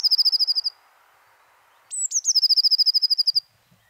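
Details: Eurasian blue tit song from a collection of French garden birds: a fast, high trill of about a dozen even notes, a pause, then a thin descending whistle and a longer ringing trill.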